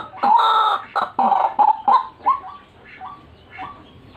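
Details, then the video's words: Gacoran-style white-breasted waterhen calling used as a bird lure: several loud rasping bursts in the first two seconds, fading into softer short upslurred croaks. "RUAK RUAK GACORAN AUTO JUARA PIKAT"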